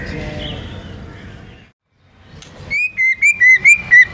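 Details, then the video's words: Soft hiss and a faint whistle fade to silence, then a white-rumped shama repeats a clear, slightly wavering whistle about three times per second. "MURAI BATU GACOR MANCING BURUNG LAIN BUNYI‼️ MATERI ISIAN NGEROL NEMBAK IRAMA LAGU LENGKAP ISTIMEWA"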